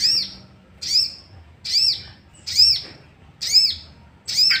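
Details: Sooty-headed bulbul sound used as a lure to rouse other bulbuls into agitated singing; a sharp, high arched note with a lower echoing band repeats steadily about once a second over a faint low hum.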